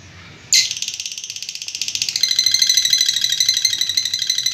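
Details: Lovebird ngekek, the long trill: an abrupt start after a short silence, then a dense, high-pitched stream of rapid buzzy pulses that grows a little stronger and keeps going.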